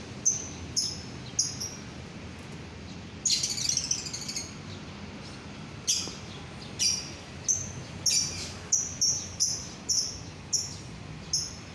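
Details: Lovebird calling with short, piercing high chips, first spaced out, then coming faster in the last seconds, broken by one brief harsh chattering burst. The sound is offered to set other lovebirds singing.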